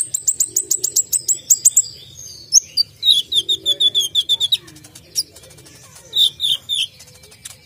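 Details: Sharp-voiced Brown-throated sunbird (konin) singing persistently with isian tembakan fill: rapid rattle of very high chips at the start, then a string of falling buzzy notes, followed by sparser piercing phrases toward the end.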